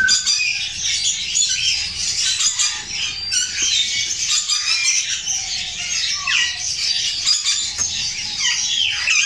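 Rainbow lorikeets give a constant wash of shrill, screechy squawks and chattering notes, several birds calling over one another without a break.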